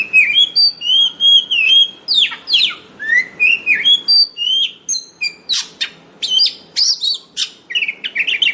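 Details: White-rumped shama song used for luring and training birds: clear whistled notes, rising and falling slurs, then sharp chips and short trills in a lively, varied sequence.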